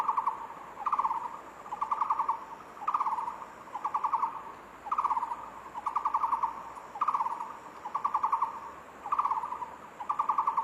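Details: Takur bukit, a barbet, delivering a continuous run of low, rapidly pulsed trilled phrases, each about half a second long, following one another with almost no gaps against a faint constant high background tone.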